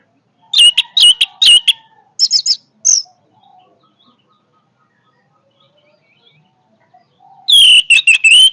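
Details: Orange-headed thrush delivering a powerful song: a burst of sharp, rapid notes, then brief squeaky trills, a pause of several seconds, and another dense run of strong, high, ringing notes at the end.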